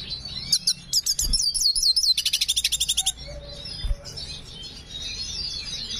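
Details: A black hooded siskin in breeding condition sings high, twittering, slurred notes, then a rapid burst of about fifteen sharp repeated chips, before fading to soft chatter.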